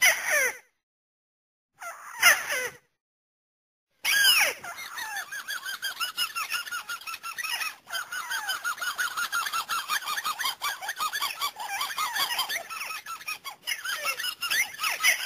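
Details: A white-browed crake gives fast, nasal chattering calls, notes tumbling over one another in a dense stream; this is a lure recording used for hunting, netting and snares.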